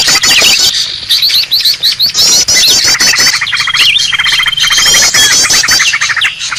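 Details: Green leafbird noisy call used for luring birds: continuous dense twittering and rapid chattering high in pitch, layered voices, with a faint thin whistle and a brief slurred note midway.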